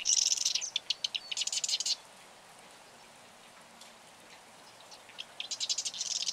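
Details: Marsh wren: repeated bursts of very high, rapid, dry rattling trills interspersed with sharp ticking notes. There is a quiet gap of a few seconds before another rattling burst.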